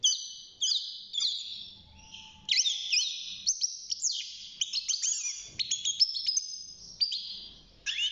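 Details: Young caged European goldfinch, six months old and just beginning to sing, gives a fast twittering run of high tinkling notes with rapid up-and-down slurs. The phrases break off in short pauses.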